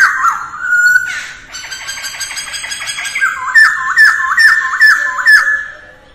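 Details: Early-morning voice training by a female masked laughingthrush: a held whistle, then buzzy harmonic chatter, ending in a row of short downslurred whistled notes about twice per second.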